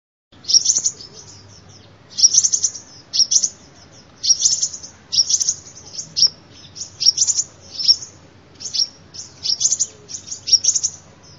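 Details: Sunbird song used as a lure call: bursts of very high, thin, sharp chirps and trills, grouped in short phrases about every second, with a faint low hum beneath.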